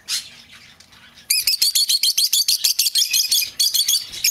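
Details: Lovebird calling, for luring home an escaped bird: after a brief faint note, a steady rapid series of sharp high chirps, about three per second.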